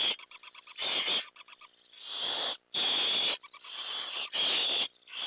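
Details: Long, loud, breathy hisses from an adult owl guarding owlets that await a food delivery, the young adding to the noise; harsh hiss bursts alternate with brief rows of rapid ticking, clicky notes between them.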